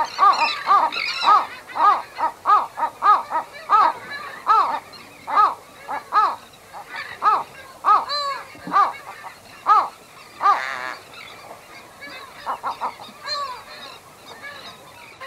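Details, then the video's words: Western gull pair at their nest giving low-intensity anxiety calls, recorded close up: a steady series of short, harmonic, nasal barking notes about twice per second, with fainter bird chatter in the background. "Western Gull. Pair At Nest Uttering MCU Low Intensity Anxiety Calls. Terns And"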